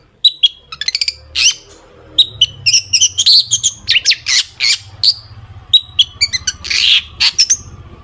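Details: Lively long-tailed shrike song played to lure other shrikes into singing: a dense mix of short whistles, harsh chattering bursts, rattles and chips delivered rapidly for eight seconds, with a low background hum.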